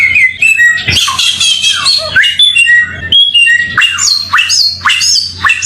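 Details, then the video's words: A samyong bird's masteran song: harsh squawking bursts mixed with bright whistled slurs and upward-sweeping notes, delivered in fast, uneven phrases with short gaps, over a low background hum. "Mastran burung samyong"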